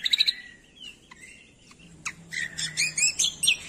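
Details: Cucak kombo song for training birds: quick high chirps, then quiet whistles, then a dense, lively stretch of varied rapid notes.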